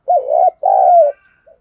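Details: Spotted dove used as a decoy, its cooing played to stir other doves into calling in rainy weather: a low mellow coo, a short gap, then a longer drawn-out coo that slides slightly downward, followed by a faint note.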